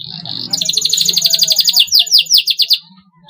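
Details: Canary trilling, used to stimulate young canaries to sing: a brief tone, then a rapid rattling trill that breaks into loud, evenly spaced downward-sweeping notes before stopping, over a low background hum.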